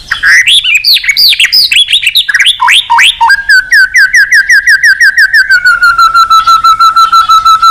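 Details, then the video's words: Strong white-rumped shama song used to push weaker birds into fighting song: a dense rush of loud, looping whistled phrases, then a long, rapid trill of repeated notes gradually lowering in pitch. "chòe lửa hót cực căng kích chim yếu lửa hót ,kích chim hót đấu, luyện giọng chòe lửa hót"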